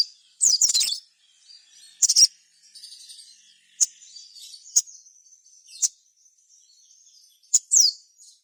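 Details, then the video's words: Lure song of a sogon, meant to set other sogon singing. Loud bursts of high chirping alternate with short thin whistled notes spaced about a second apart over a quiet background. "suara sogon gacor ini"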